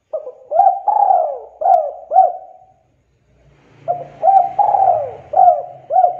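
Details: Vigorously calling spotted dove in a lure recording to prompt others to sing: repeated soft hooting coo phrases, short notes around a long sliding coo, with a faint low hum in the latter half.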